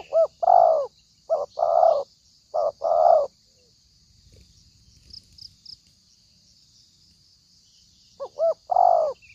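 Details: Spotted dove lure call for trapping, billed as very fierce: clusters of low hollow coos, quick paired notes followed by longer rounded coos, a pause, then the phrase returns; faint high hiss throughout.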